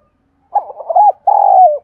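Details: Spotted dove decoy cooing to attract wild doves: a low, mellow cooing phrase made of a short burbling run followed by a longer, steady coo that drops slightly at the end.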